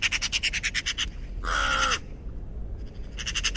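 A raven gives a quick run of about ten dry, knocking notes, then a single harsh, drawn-out croak, and finally more rapid knocks.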